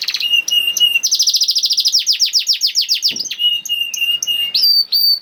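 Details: Canary song in 'nembak' style, meant to get silent canaries singing: sustained whistled tones open and close, framing a rapid rolling trill of sharply descending notes in the middle, with one short low rattle.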